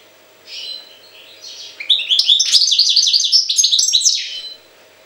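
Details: Goldfinch recorded in Jagodina: soft opening notes, then a lively two-second run of bright, liquid twitters and trills with fast up-and-down pitch swoops; steady low hum underneath.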